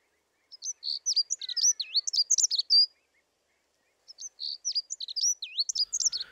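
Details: Dunnock, a migrant returning from the Mediterranean from late March that sings from exposed perches such as treetops, gives two fast, even-pitched warbling phrases of high, squeaky notes, each about two seconds long, separated by a brief pause.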